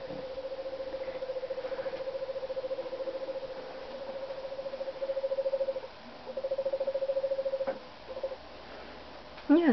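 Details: Pet screech owl in an office with the lights on, singing happily: a steady low trilled tone held for several seconds at a time, broken by short pauses, with faint room noise.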